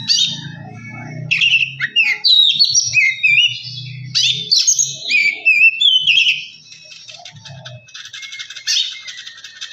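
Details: Oriental magpie-robin song used to rouse another bird: quick varied whistles and slurred notes over a low hum, ending in softer buzzy chatter.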